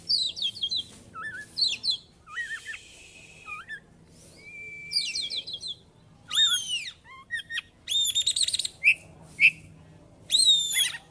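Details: White-rumped shama performing ngeplong song rich in copied phrases; quick chattering clusters, looping whistles, a flat sustained whistle, then loud arched overtone-rich notes in bursts.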